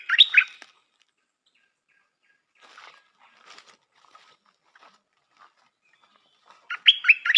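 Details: Stripe-throated bulbul kept as a decoy bird sings short bubbly, warbling phrases at the start and end, with only faint scattered sounds between them.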